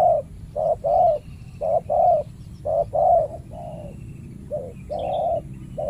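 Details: Spotted dove defending its banana plantation, a fierce resident challenged by a trained decoy during trapping; loud rhythmic coos in short-long pairs, about one per second, fading to softer notes toward the end.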